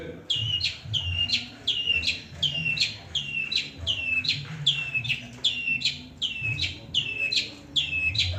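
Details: Long-tailed shrike, noted for copying other birds' songs, delivering a steady series of sharp downslurred whistled chirps, roughly one every second, over a faint low hum.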